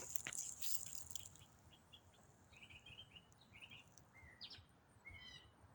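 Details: Songbird in autumn keeping up a complex riff: short quavering notes and brief whistles at varied pitches in an uneven run, with a noisy burst at the start and a low hiss throughout.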